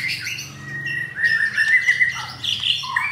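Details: Caged captive-bred F4 White-rumped shama in Jakarta, Indonesia, with mottled breast, giving a steady sustained whistle interwoven with harsh rough-material notes, ending in higher squeaky phrases.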